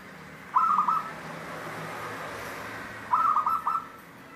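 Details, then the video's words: Perkutut (zebra dove) of local wild stock, 'Cristal tembus' style, uttering two short rolling coo phrases about two and a half seconds apart, each a fast stutter of clear, mellow notes. "Contoh suara perkutut lokal Cristal tembus"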